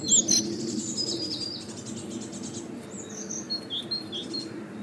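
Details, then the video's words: Great tits near a large nature reserve give thin, high chirping calls in two short bursts of quick notes, over a low steady background rumble. "Great Tits"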